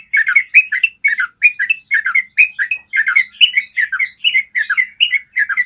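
A yellow-vented bulbul runs a long, unbroken string of bubbly, slurred notes, two or three a second, bright and mid-high, with no other sounds.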